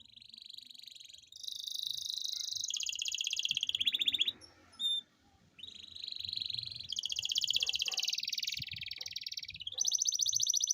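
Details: Canary singing long continuous rolls, played to get lazy canaries singing: sustained rapid buzzy trills changing pitch in blocks, a brief pause with a few high notes, over faint low room noise.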